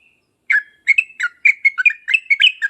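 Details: Lively yellow-vented bulbul song of the 'uplik uplik tarong ropel tajam' style, played to draw answers from other bulbuls: sharp bubbly phrases of quick chirps and short whistles, about three bursts per second, after a brief quiet start.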